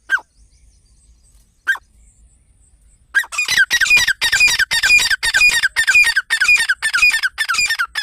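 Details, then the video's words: Grey francolin: two isolated notes, then a long run of loud, harsh, ringing calls repeated about twice a second. "Teetar ki awaz"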